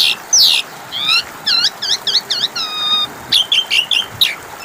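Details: Asian pied starling song used as a lure to get birds that have stopped singing to answer: varied whistled notes, rising and falling slurs and short repeated chirps, with faint background hiss.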